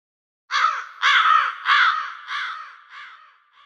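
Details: Crows cawing: five harsh, hoarse caws in a row, the first three loud and close together, the last two trailing off softer, on a silent background.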